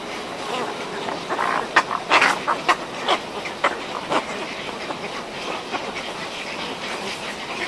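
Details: A pair of cattle egrets calls in a colony at Antananarivo Zoo, Madagascar: harsh, croaking barks in irregular bursts, several close together, over a steady background murmur of the busy colony.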